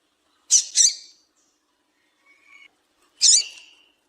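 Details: Female Double-collared seedeater call for stimulating males: a quick pair of rasping high chirps, a faint thin whistle, then a single drawn-out harsh chirp.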